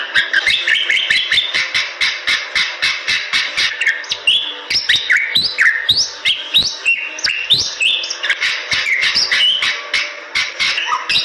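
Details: Bali myna singing: a burst of fast ticking notes at first, then a lively sequence of whistles that climb and fall in pitch, over constant sharp clicks.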